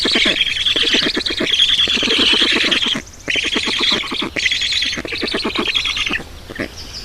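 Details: Black storks feeding at the nest in Estonia on 18 June 2019: dense, rapid, harsh squawking and chattering repeated several times a second, broken by a short pause near the middle.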